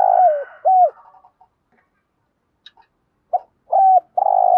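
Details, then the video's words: Spotted dove cooing in thúc gù style to excite wild doves: long falling buzzy coo and a curved coo, a pause with faint clicks, then short coos building into a loud sustained note. "tieng chim cu gáy thúc gù, chim cu gáy bài bản giúp bổi nhanh nổi"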